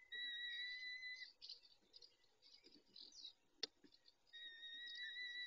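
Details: Nest of peregrine falcons, where a male looks after the females, evening recording at 19:40, dated 23-05-21: a long level wail opens and another closes, with soft chatter, rustles and a sharp click between them.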